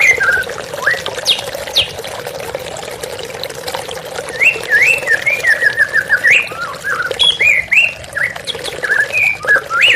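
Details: Running water accompanies a white-rumped shama in a therapy recording: scattered whistles at first, then a rapid run of looping whistled notes and varied phrases continuing to the end.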